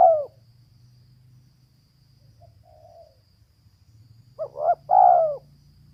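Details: Cooing of a female spotted dove. A trailing coo ends, a faint brief note follows, and then one full phrase sounds: two short rising notes and a long, burry, downslurred coo. A low hum runs throughout.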